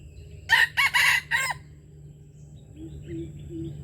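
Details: Red junglefowl in Aceh, call used to lure wild birds: a loud, raspy crow of four choppy syllables opens, then quiet follows with a few soft low hoots and faint distant chirps.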